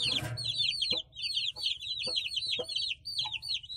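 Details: Several small country chicken chicks calling together, shrill descending peeps tumbling in quick clusters, broken by soft tapping clicks and a short rustling noise at the start.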